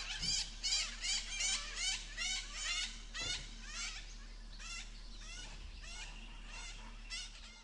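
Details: Indian grey hornbill perched on a peepul tree, giving a series of squealing notes about twice a second that grow fainter toward the end, over a steady low hum.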